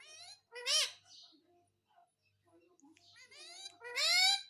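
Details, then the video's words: Talking pet parrot begging for roti indoors; two loud, ringing, strongly harmonic phrases, each rising then falling, separated by soft, scattered chatter and low murmurs in a quiet room. "मम्मी मिट्ठू को रोटी दो _ Parrot Talking Everything _ मिट्ठू की प्यारी बातें"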